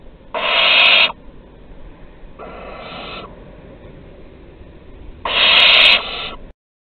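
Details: Barn owls at Théding, France, 23 August 2020, with an adult giving prey to a younger owl; three separate rasping screeches, the middle one softer and the last one loud, with quiet pauses of about two seconds between them.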